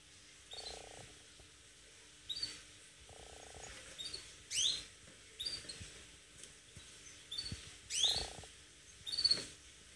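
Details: Canary singing aggressively in an attacking style: sharp, high, downward-sweeping chirps in uneven bursts, with a low buzzy pulsed sound twice near the start and again later, over a quiet background.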